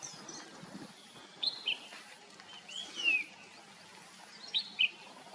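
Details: Red-whiskered bulbul singing: sparse, short, bright chirped notes in quick pairs, plus one slurred whistle that rises and falls, over a steady background hiss.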